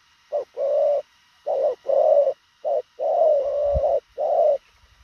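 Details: Quick, clipped cooing of a spotted dove: low, mellow coos in short-long pairs, one long drawn-out note mid-sequence, a faint thump beneath, otherwise quiet.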